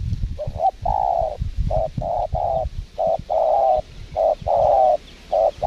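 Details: Spotted dove being lured for trapping in windy Lombok gives a dense series of low mellow coos, clipped notes alternating with drawn-out ones, almost without pause.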